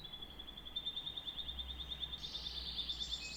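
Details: Canary holding a thin, even high trill of rapid pulses, then switching to a higher buzzy roll near the end. Quiet low rumble in the background.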